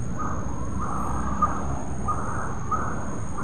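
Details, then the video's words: Morning calls of a coppersmith barbet at Bukit Batok nature park, 30 July 2022, 7.51 am: a handful of dull, evenly spaced tonk notes roughly every two-thirds of a second over heavy low background rumble. "Calls of a coppersmith barbet"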